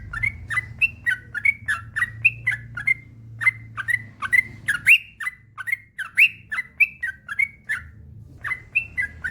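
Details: Yellow-vented bulbul in long, rapid full song, a training track to get other bulbuls singing: a stream of bubbly, slurred whistles, one brief break near the middle, then the chattering run resumes.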